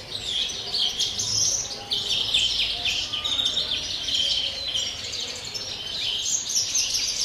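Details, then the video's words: European greenfinch in pure 'campero' style song, recorded on 30 December; a continuous, rapid twittering of high trills and chirps runs throughout, with short rolling phrases and faint low background hum. "verderón cante puro campero"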